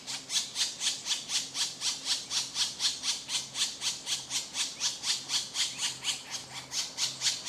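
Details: Woodpecker nestlings begging while their mother brings food, giving a fast, even run of hoarse, rasping squawks, roughly four per second, loud and continuous with a soft background hum.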